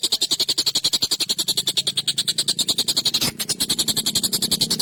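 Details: Long, sharp, harsh excited calling of a collared kingfisher, recorded as training material for songbirds. Fast, evenly spaced rasping notes run throughout, with a faint low hum underneath and a brief click near the end.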